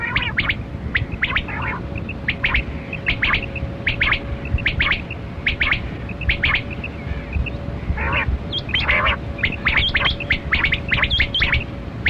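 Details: Kali Kirak quail in a hunting setting, many sharp brief chirps in clustered bursts of two to five, uneven spacing, with a continuous low droning tone beneath.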